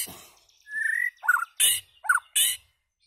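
A white-rumped shama sings a clear mid-pitched whistle, then quick varied notes with two harsh, rasping bursts, all within about two seconds.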